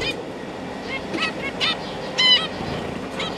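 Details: Young zebra finches, juveniles and newly fledged babies, fed by busy parents: scattered short nasal harmonic chirps, several faint ones then a louder burst near the end, over constant background hiss.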